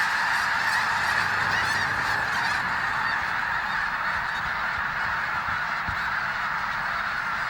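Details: Huge winter flock of snow geese at Bosque del Apache refuge, New Mexico, all taking off together; overlapping honks pour out in a thick, steady clamor, with a few low thumps and rustles beneath.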